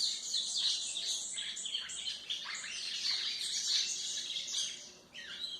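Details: White-throated seedeater song for teaching young birds: dense, high twittering and trilled phrases run almost without pause, then briefly drop away before a few final notes.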